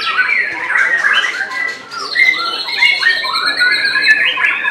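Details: Shama song at a bird singing competition in Semarang, Indonesia, July 2022; varied whistled phrases rising and falling, a brief lull mid-way, then bright stacked notes resume with background birds.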